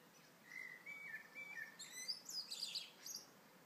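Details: Blackbird singing in the morning: a short run of mellow, fluted warbling notes, then a higher, squeaky twittering flourish near the end, against a faint steady background hiss.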